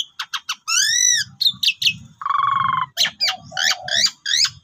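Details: Pied myna (jalak suren) lure song for birds that have stopped singing: three sharp clicks, an arched harmonic whistle, a buzzy rattle and zigzag notes, over a faint low hum.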